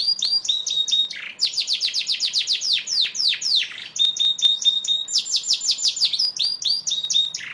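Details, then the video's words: Song of a Yorkshire canary, a European-imported posture canary bred from Lancashire and Belgian stock: fast unbroken chains of sharp descending chips, rolling trills and short level whistles, sustained throughout without pause. "Kicauan Burung "KENARI YORKSHIRE""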